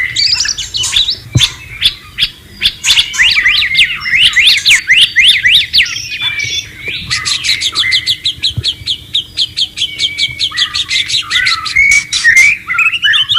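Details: White-rumped shama singing in the wild beside running water, with fast repeated zigzag whistled notes, then a long even rattling series of rapid clicks and whistles.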